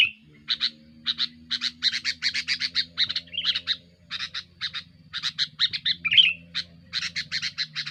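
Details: Sooty-headed bulbul in busy, aggressive song aimed at rivals, suited as a lure: fast runs of short harsh notes, two slurred whistled phrases, steady low droning hum throughout.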